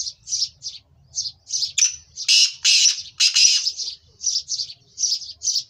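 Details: Kala teetar, black francolin, used to excite captive birds into calling: short high chirps lead into a burst of loud, harsh grating notes near the middle, then more chirps follow at a quick, uneven pace.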